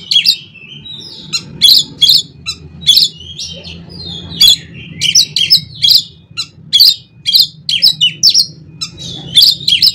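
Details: Oriental magpie-robin singing a 'konslet' filling meant to set other magpie-robins singing: harsh, explosive broadband notes repeated about every half second, mixed with short whistles, over a low steady hum.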